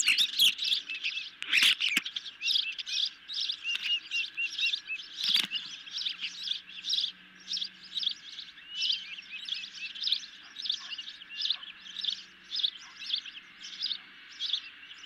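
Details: Ospreys at their nest during an evening fish feeding: steady train of high, thin chirping whistles, roughly two per second for fifteen seconds, with a few sharp knocks and rustles near the start.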